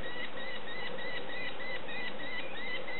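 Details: Hungry young sparrowhawks being fed: thin, slightly rising notes repeated rapidly, about three per second, over a steady broad hiss.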